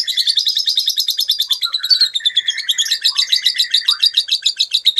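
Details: Young lovebird (balibu) singing in the konslet style, used to stimulate other lovebirds to sing: a dense, rapid chatter of sharp high notes pulsing several times a second, with lower rasping squeaks woven through, nonstop for the whole stretch.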